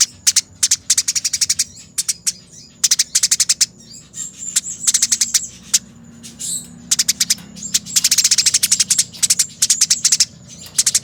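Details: Eurasian tree sparrow, fighting, captured for training other birds: repeated volleys of quick, crisp, grating chirps in tight clusters, some rolling runs, brief gaps between bursts, clear and close.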